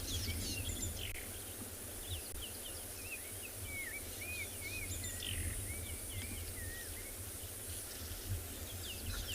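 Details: Black-crowned Tchagra giving clear, slurred, looping whistles over a steady low rumble at sunset on a game drive, Tswalu Kalahari Reserve, South Africa, 6 November; Cape turtle dove, rattling cisticolas, hornbill and a cicada also calling.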